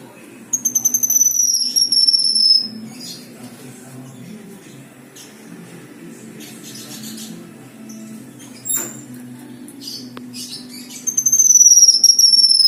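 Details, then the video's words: Caged black-winged myna (kinoi) singing 'isian' material: high, thin whistled phrases sliding slowly downward, one near the start and another at the end, with quiet murmuring voices and room noise between. "BURUNG KINOI GACOR MATERI MEWAH | KINOI ISIAN"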